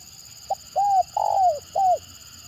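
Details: Single phrase of a spotted dove known for its stuttering call, used to lure other birds: a short note, then three mellow arched coos, the central one longer and descending; low steady hum.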